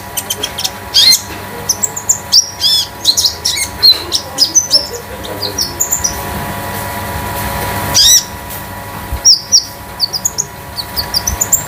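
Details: Home-kept konin damer, the Scarlet-headed Flowerpecker, in metallic free-flowing song meant to prompt other konin: quick clusters of high, thin chirps and sliding whistled notes, with a short quieter gap midway and a low hum throughout.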